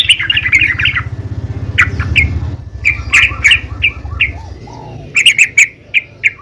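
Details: Female yellow-vented bulbul calling other bulbuls: scattered bright chirps and short chattery bursts with pauses between, over a low humming background early on.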